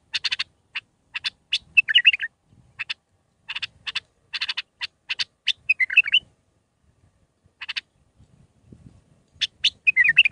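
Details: Bulbul song meant for training young birds. Busy bursts of sharp clicks are each followed by a short warbling twitter, repeated irregularly over a quiet background.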